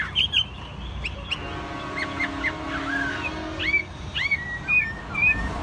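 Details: A tame caged Chinese hwamei sings a loose run of short upward and downward whistled slurs, some sharp and clipped, separated by brief pauses, over steady low hum.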